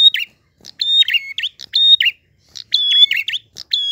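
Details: Clear-voiced prinia in drawn-out 'gacor ngalun' song: each phrase opens with a click, holds a level high whistle paired with a lower note, and ends in a swooping twist, phrases following closely one after another.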